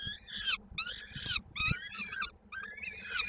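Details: During a feeding at a Koszalin, Poland nest on 16 May 2022, a peregrine falcon chick with its foot stuck in a beak gives quick, rasping, arched cries, about three a second, over soft thuds.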